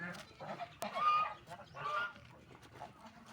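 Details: Ducks eating food and drinking water; a few harsh, nasal honking calls in quick succession, with a sharp click near the start and background chatter.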